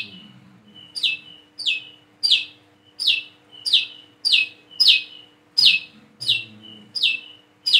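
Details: Learning to sing, a plain-throated sunbird repeats a shrill, downward-swept wiceh note with a soft whistle before each one, about ninety times a minute, steady over a faint low hum.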